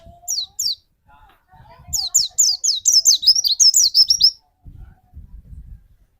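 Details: White-eye lure song played to set off another white-eye's singing: two sharp high whistles, a pause, then a fast tumbling twitter of high bent notes, with soft low knocks near the end.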